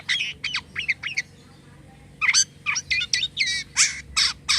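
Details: Jalak kapas starling singing with unusual sounds, a few brief harsh notes, a short pause, then a rush of loud rasping squawks and buzzy chirps.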